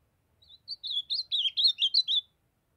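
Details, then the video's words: A young ultramarine grosbeak in brown juvenile plumage delivers the Northeast Brazil song type: a short, lively warble of about nine slurred whistles, some dipping and some rising, ending abruptly after under two seconds. "Azulão jovem cantando fenômenal❤O lindo canto azulão do Nordeste"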